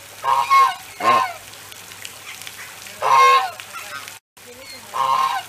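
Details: An African goose, a domestic breed descended from the wild swan goose, gives loud, harsh, nasal honks in short bursts from a pond, about four calls spread unevenly over several seconds.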